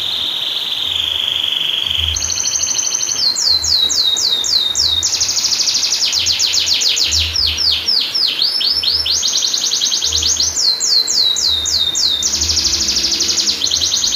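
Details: Canary singing a long rolling song meant as a tutor for silent canaries: a steady high roll, then a chain of quick rapid trills and sweeping repeated notes changing every second or two, sustained throughout, with faint low thumps beneath.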